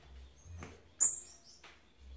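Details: A Cuban bullfinch from Villa Clara, Cuba, in redoblao song gives one thin, very high, buzzy trilled note lasting about a quarter second, with faint soft clicks before and after and a low hum.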